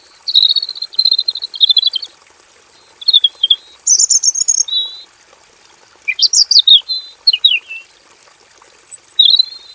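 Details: Male robin kept in a simple aviary sings a long full song: rattling high trills, a sustained buzzy phrase, then steeply sliding whistles and twitters in separate bursts, over a thin background hiss.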